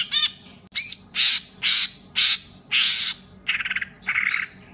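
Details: A songbird gives loud, harsh, raspy "rough shot" bursts about twice a second, some broken into quick rattling trills, all high-pitched with nothing else heard; a tutoring recording for competition songbirds.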